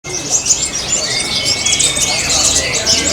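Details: Brown-throated sunbird singing at a songbird contest at the animal market in Purbalingga, Indonesia. Dense, high, rapid twittering and chirping phrases run without pause and overlap with other contest birds.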